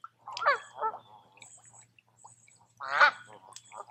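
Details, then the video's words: Geese by a calm lake in the woods at Tamiment, Pennsylvania, in summer; two honks at the start, a lull with faint sounds, then one strong harmonic honk and a softer follow-up. "Relaxing With Some Geese"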